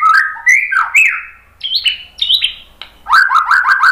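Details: Murai batu (white-rumped shama) song of varied slurred whistles, some rising and some falling, in short bursts with brief gaps. It closes with a fast run of chirps.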